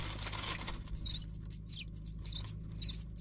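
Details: Three hungry nestlings waiting for food in the nest: a busy chorus of thin, very high squeaky chirps, overlapping and irregular, with a loud rustling burst at the start and a steady low hum beneath.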